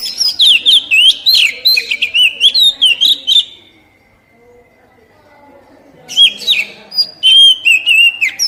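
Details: Oriental magpie-robin song used as a training recording to prompt newly caught captive birds to sing: rapid, varied whistled and chattering notes with sharp slurred phrases, about three seconds of singing, a quiet pause, then a second burst.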